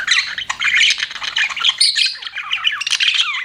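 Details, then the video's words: Pet budgies chirping in a dense, excited jumble of high squeaky twitters and buzzy warbles, ending with a few clear downward-sliding chirps. "CUTE PET BUDGIES CHIRPING"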